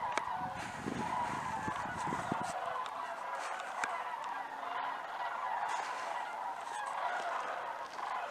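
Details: Sandhill cranes migrating over Idaho, a flock calling overhead: rolling, rattling bugled calls overlapping continuously, with some low rumbling at the start and faint background noise.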